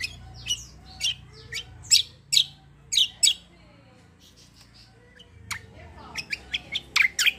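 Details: Black-winged myna in a lively, combative rolling song: sharp high chirps and downslurred notes in bursts, a quiet pause mid-way, then a fast run of bright clipped notes, over a low background hum.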